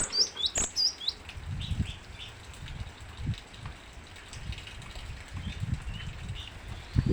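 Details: Cinereous tit singing vigorously: a quick run of high, thin whistled notes in the first second, then sparse single high chirps, over repeated low thumps and knocking noises.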